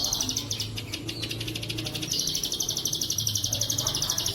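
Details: Plain prinia song from a clear Indonesian training recording for pet songbirds, with bren cililin fill-ins: an almost continuous high, buzzy trill of rapid even pulses, about four per second, over a low background hum.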